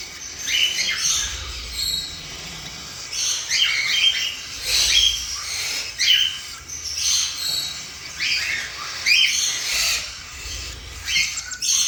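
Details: Cockatiel chicks give rapid, raspy, high-pitched begging calls while their mother feeds them.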